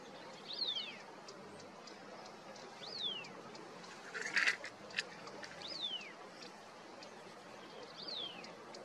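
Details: Slaty-headed parakeet in Himalayan hill forest among flowering trees, giving thin shrill whistles that slide steeply downward, about four in nine seconds, with faint clicks and rustling.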